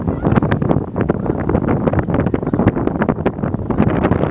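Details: Steady wind buffeting and low rumbling at a wildlife refuge, with broadband gusts throughout and no animal calls.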